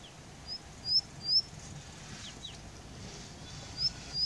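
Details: Indian bushlark vocalizing from a rock in Jayamangali, India: thin, high whistled upslurs and short descending notes, given singly at irregular intervals against a faint low rumble.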